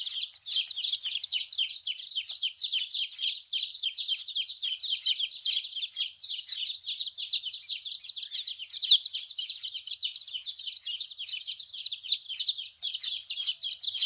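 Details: Many newborn hen chicks, dyed in bright colours, exploring on a farm while peeping constantly: a thick, unbroken wash of shrill descending cheeps from many birds at once, rapid and overlapping, with no other sounds.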